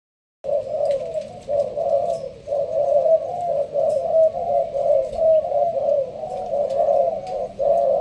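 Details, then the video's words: Caged Malaysian-strain spotted dove in a leaf-covered cage, giving a sparse-style rapid cooing song. After a brief silence, low hollow coos run almost unbroken, about one per second, with faint clicks in the background. "Con trong lụp lá, Malaysia thúc gù bài thưa. thích hợp ae nuôi kiểng nghe gáy gù."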